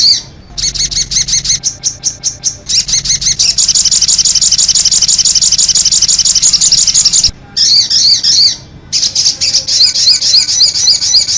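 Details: High, shrill song of a sogon bird: spaced sharp chirps build into a continuous rapid trill, broken by two short gaps and wavering warbled phrases, over a faint low hum.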